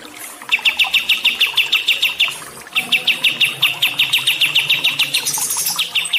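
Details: Songbird chirping for calming and training stressed birds: long runs of rapid, evenly spaced bright notes, about three per second, broken by a short pause, with a higher chatter near the end and faint water behind.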